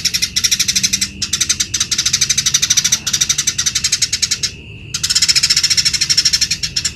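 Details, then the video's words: Lively Eurasian tree sparrow song for teaching other birds: dense trains of fast, scratchy high chirps lasting a second or more each, one clear pause near the end before chirping resumes. "BURUNG GEREJA GACOR || PAS BUAT MASTERAN"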